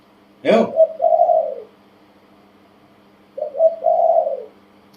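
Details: Tame male spotted dove about one year old, cooing in the Thai 'kuk, ku-ang, nun-ang' style: a sharp click, then two low mellow coo phrases, each a short note running into a longer, wavering drawn-out coo, about three seconds apart.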